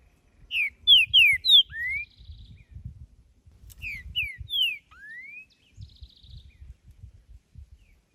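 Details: In nature, a green-winged saltator repeats its song twice: several strong, sweet whistled notes sliding down in quick succession, then one longer upward-swooping whistle, with a thin buzzy trill from another bird after each phrase and faint low rumble.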